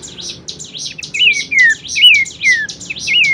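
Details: Bush warbler song, a lavish vocal 'masteran' recording for training songbirds, with clear descending slurred whistles repeated about every half second, mixed with rapid high twittering notes above.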